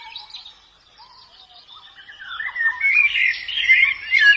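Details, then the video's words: In the wild, a white-eye starts softly and builds into a fast, high, bubbling twitter of slurred notes that grows louder toward the end. "Suara burung Pleci dialam bebas"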